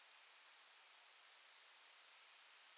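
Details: High-pitched, sibilant trills from a Bohemian waxwing: three brief calls in quick succession, the last loudest and most rattling, with near silence around them.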